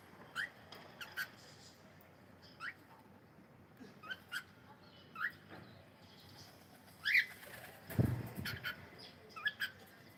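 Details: Cockatiel chirping: short, bright rising chirps come at uneven intervals about once a second, with a soft rustling burst like flapping wings near the end over quiet room background.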